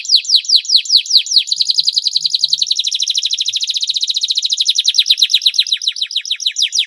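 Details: Canary in long, lavish song to prompt lazy canaries: loud down-slurred whistles open into a long, rapid, evenly repeated trill, slowing into spaced slurred notes at the end.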